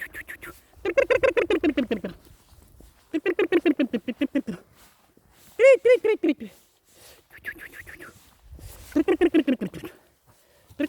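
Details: Chicken clucking in separated bursts of rapid, bright pulses that fall in pitch. One short, loud, ringing squawk interrupts partway through, and the background stays quiet.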